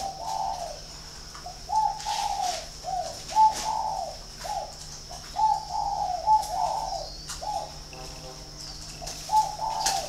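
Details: Spotted dove in Ba Vì, Hanoi, Vietnam, kept at a dove farm, coos steadily through ten seconds. Its repeated phrases of soft, hollow, slightly wavering notes come in quick succession, and a faint whistle is heard near the end.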